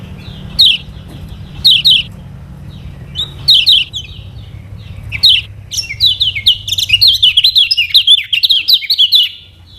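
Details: Lemon-bellied white-eye (kecial kuning of Lombok), a lure recording for teaching birds to sing: several spaced high doubled chirps, then a rapid, continuous chattering twitter of short falling notes.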